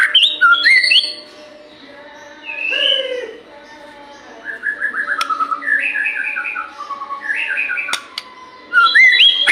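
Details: White-rumped shama lure song for morning and evening: quick slurred whistles, a drawn-out note, then descending series of short whistled notes in stepped runs, ending with a loud whistled burst.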